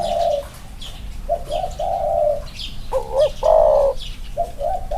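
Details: Spotted doves, two males set side by side for comparison, one with clipped wings. Low hoarse cooing phrases: short stuttered notes then a longer drawn coo, repeated several times, with faint higher chirps behind.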